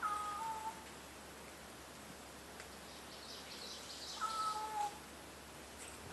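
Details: Cat-like calls from a crow in trees along trails near the Fraser River, McDonald Beach Park, Richmond, B.C., Canada; two falling two-note mews about four seconds apart, faint rustle between.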